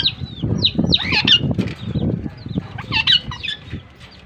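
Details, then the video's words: Pakistan ringneck (rose-ringed parakeet) pair interacting in Larkana, Sindh: a rapid run of sharp downslurred chirps and shrill notes mixed with dense rustling and fluttering noise. "Pakistan Ringnecks Talk and Dance with Each Other || in like you chirping sounds in pair"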